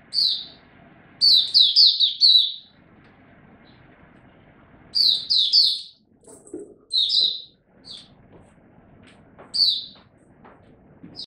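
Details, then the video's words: Oriental white-eye hobby bird in song display, recorded 26 November 2022. Short, separate bursts of three to five bright, high chirps, with quiet gaps and a low rumble between them. "Mata Puteh Buka Sing Raja"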